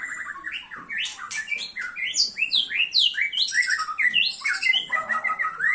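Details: White-rumped shama singing continuously: a rich stream of varied whistled phrases, sliding up and down, with quick notes jumping between low and high pitches and no pauses.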